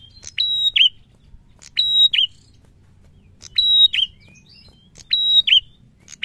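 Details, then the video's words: Prinia singing actively: a sharp tick, then a level high whistle ending in a bright downward twist, the phrase repeated about every 1.5 seconds with short gaps, a faint low hum underneath. "SUARA PRENJAK GACOR NGALUN NARUNG"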